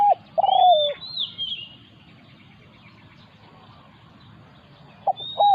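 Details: Spotted dove in a decoy setup, where a wild resident bird has come to confront the decoy. Two low, mellow cooing phrases open and close the clip, each ending in a long descending coo. Thin high whistles from another bird sound between them.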